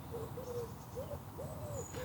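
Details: A pigeon perched up above a carp fishing pond on a late-summer morning gives soft, low, hooting coos, four or so short rounded notes in two seconds, over a steady low rumble.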